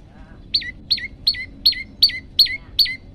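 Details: Hungry Olive-backed Tailorbird (prenjak lumut) singing actively in the long-shot (tembakan panjang) style: seven sharp, high, downward-slurred notes repeated at a brisk, steady pace, about three per second, over a quiet low background hum.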